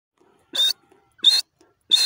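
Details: Grey francolin call: three harsh, high, rasping bursts, each about a fifth of a second long, spaced roughly every 0.7 seconds.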